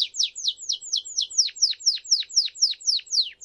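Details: Singing Timbrado canary used to train young birds, delivering a regular run of sharply descending whistled sweeps, around four to five per second.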